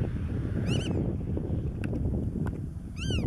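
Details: Black-tailed Godwit on Marken, Netherlands, June 2020, giving two nasal, arching calls about two seconds apart, with faint ticks between, over a steady low rumble of wind.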